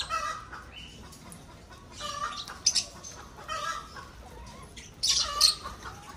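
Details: Breeding lovebirds in an aviary produce intermittent shrill squawks and chirps, a few louder piercing bursts standing out, especially near the end, over faint background chatter.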